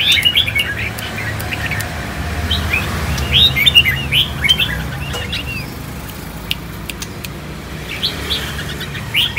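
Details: Caged four-year-old red-whiskered bulbul of the Khánh Hòa type, singing after a cool bath in the ché style: scattered short, bright chirping notes with clicks and background traffic noise.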